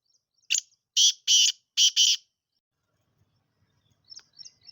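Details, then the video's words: Black francolin, known locally as kala teetar or Sindhi teetar, giving a loud, harsh, grating call: one short rasping note, then two pairs of buzzy, broadband notes. Faint high chirps from small birds follow in the quiet. "کالا تیتر کی آواز ویڈیو سندھی تیتر کی آواز"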